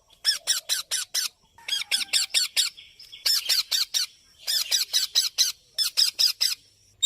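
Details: A young hand-fed sun conure begs with harsh, rapid, rasping squawks repeated in quick bursts.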